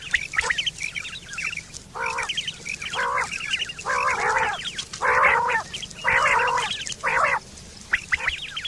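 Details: Quail calling in September 2023, a mating call also used for hunting: loud rasping bursts of about half a second, repeated at an uneven pace, mixed with many high chirps and twitters in the background.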